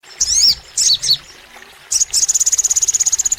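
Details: Crimson sunbird (sogon) in long, energetic full song: a few high twisting chirps, then a rapid trill of sharp identical notes repeated about ten per second.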